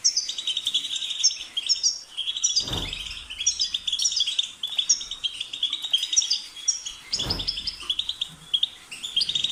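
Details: European goldfinch song, a steady stream of liquid twitters, buzzy trills and high tinkling notes, interrupted twice by brief thumping knocks.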